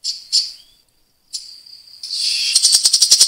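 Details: Grey-cheeked bulbul giving coarse, rapid 'tembakan' bursts: two short buzzy notes with a gap, then a rising stream of fast rasping pulses building to a dense rattle.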